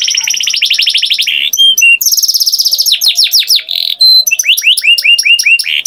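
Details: A canary's varied song: a buzzy rolling trill, short pure whistles, another dense fast trill, then quick swooping notes and clipped chirps in rhythmic runs.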